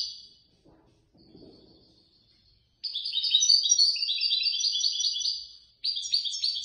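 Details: Prize European goldfinch, third place in a Casablanca bird-lovers' association competition. A faint thin note is followed by a long, rapid run of high, metallic, jingling trills, a brief break, then another trill.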